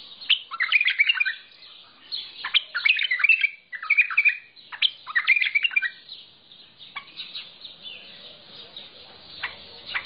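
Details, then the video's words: Mandali bulbul singing in the lisanat style: bursts of rapid, chattering, warbled notes in quick runs, pausing briefly between phrases, with softer twittering toward the end. "بلبل مندلاوي لسنات تغريد"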